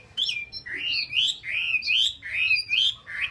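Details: Chinese hwamei, a cage bird from Vietnam, sings rich melodious whistled phrases, each a looping warble rising and falling, delivered in steady succession with short pauses.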